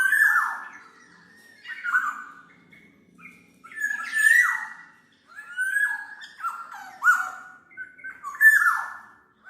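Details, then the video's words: Black-naped oriole recorded for songbird training and bird luring: a series of loud mellow whistles and grating descending notes, delivered in uneven phrases roughly every one to two seconds with brief gaps. "SUARA BURUNG KEPODANG MAS, untuk masteran/pikat"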